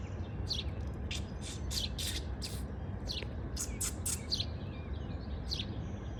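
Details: A bird sings in the morning while building its spring nest. Rapid, high, sharp chirps come in bursts of about two per second, over a low, constant hum.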